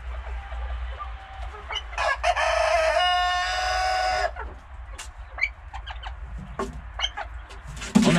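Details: A farm-kept pheasant, agitated and feeling threatened as a person nears on a sunny day, gives short, sharp alarm notes in quick irregular bursts after a long, harsh, crowing call, with a low hum throughout.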